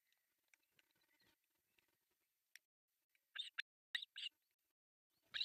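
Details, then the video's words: Begging osprey nestlings, three of them, at breakfast on an artificial nest in Pohjois Satakunta, Finland, July 1, 2024: soft ticks and rustling, then sharp paired squealing chirps arriving in quick succession near the end. "Breakfast feeding to three osprey babies"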